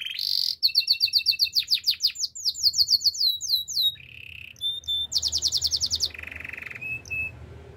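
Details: Canary song opening with a sharp buzzy burst, then quick rising chirps in rapid series, a flat steady whistle, a buzzy rattle and a low even rolling tone near the end.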